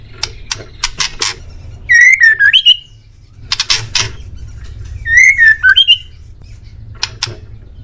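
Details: Male white-rumped shama song used as a master recording to make pet birds answer: loud, clear whistled phrases that rise and then dip, repeated twice, between dry clicks and sharp ticks.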